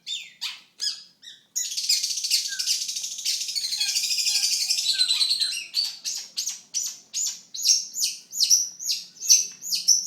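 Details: Long-tailed shrike song, a bird prized by songbird keepers and contest enthusiasts and noted for mimicry: sharp high notes, then a long scratchy trilling warble, followed by a series of loud clear rising whistles repeated about every half second.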